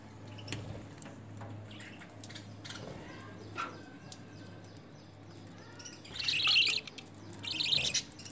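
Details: Lovebirds during initial hand-feeding training on spinach and coriander; after a quiet start, two harsh, buzzy, high chattering bursts arrive near the end over low background hum.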